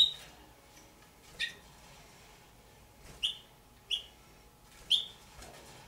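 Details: A pair of juvenile Damara red-billed hornbills kept at home make short, thin, high peeping notes, five spaced unevenly across six seconds, fairly quiet with a low background hum.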